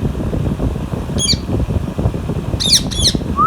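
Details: Alexandrine parakeet eating mango, kept with a ringneck parrot: a single harsh squawk, then a pair of loud, rasping squawks near the end, with a brief rising whistle over steady low rumbling background noise.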